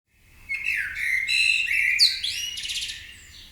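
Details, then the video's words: Birds awakening in the morning in Marousi, Athens, Greece: a rich warbled phrase mixing whistled notes, buzzy trills and rapid chirps, sustained for about three seconds with faint low background hum. "MAROUSI BIRDS AWAKENING"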